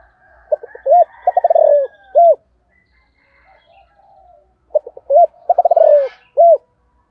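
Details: Morning 'gáy gọi bổi' calling of a spotted dove in the 'giọng thổ' style. Two complete low coo phrases, each of stuttering notes, a vibrating purr and an end coo, a few seconds apart, with faint background birds.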